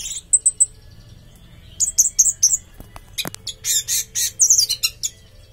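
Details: Caged orange-headed thrush giving thin, very high chirps that build into loud, dense bursts of rapid, harsh phrases over faint background noise.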